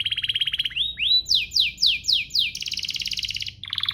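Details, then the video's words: Lure song of a domestic canary meant to draw other canaries into song: a fast trill, rising slurred notes, a run of steep down-sweeping whistles, then a dense buzzy rattle. "burung kenari lain langsung terpancing untuk GACOR"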